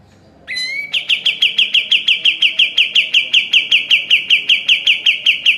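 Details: In this training recording for caged birds, a sooty-headed bulbul gives a short rising whistle, then a long even series of sharp, ringing chips delivered at a steady, quick pace.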